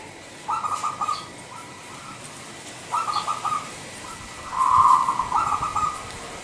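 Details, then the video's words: A local zebra dove, used as a lure call to provoke other doves into calling, gives soft, rapid stuttering coos in three or four short phrases, the last longest and loudest, over a faint background hiss. "Suara Pikat Perkutut LOKAL Super Gacor"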